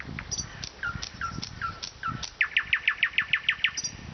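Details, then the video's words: In Vologda, Russia, a nightingale gives repeated falling whistles, then a loud quick series of about ten identical sharp notes, with low thumping background sounds. "Пение соловья"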